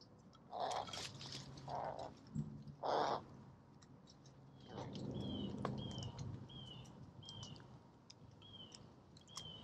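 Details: American crow at a seed bowl gives three harsh, hoarse caws about a second apart, followed by a smaller bird's thin, high chips repeated roughly twice a second.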